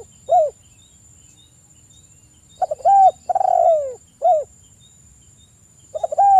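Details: Spotted dove lure call for stirring silent doves into song: a single soft coo, then a stuttering start, a hollow coo, a long falling croon and a short final note, ending with another coo; quiet electronic hum behind.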